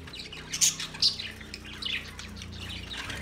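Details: Budgerigars on 13 March 2024 give a few sharp, high chirps over soft background chatter, with a low steady hum underneath.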